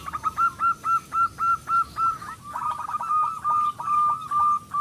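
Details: Local zebra dove, a strong singer used to coax other doves into song, delivers about a dozen evenly spaced whistled notes at steady pitch, each with a small upward hook, in two running series.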